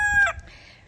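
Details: A rooster crowing outdoors at a homestead on a nice spring day, the crow ending on a drawn-out, strained high note that cuts off sharply, followed by quiet outdoor background.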